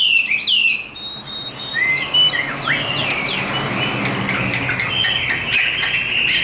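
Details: Caged Chinese hwamei giving its fighting song: a few sharp whistled slurs, then a continuous fast chatter of short notes over background hiss.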